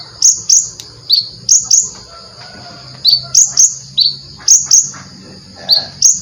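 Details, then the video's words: Konin singing actively with full song fillers: sharp, high chirps sliding downward, often in quick pairs, repeated every half second to a second, with quieter gaps and a faint low hum beneath. "suara burung, Konin gacor full isian"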